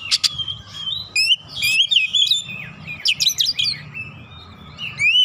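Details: Oriental magpie-robin (kacer) song for provoking birds: rapid sequence of sweet whistles, upward-sweeping notes and clicky chatter, with a steady low hum in the background.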